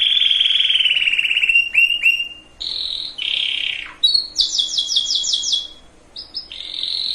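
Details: Canary song, played to prepare females and males for breeding: a long whistled note, then short rising slurs, a buzzy band and a rapid ticking trill at high pitch, ending in a steady whistle.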